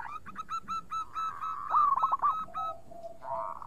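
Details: Actively singing local zebra dove with clear tone: steady repeated ringing notes, then a burst of quick stuttering coos, more evenly spaced notes, and a low soft hum at the end.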